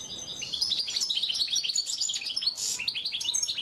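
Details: Oriental white-eye heard in a masteran training recording, giving a brisk, high, tumbling twitter of closely packed chirps and short slurred notes.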